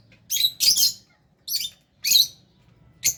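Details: Lovebirds sharing a cage with budgies chatter during a meal: five quick, raspy high squeaks in close succession, sometimes paired.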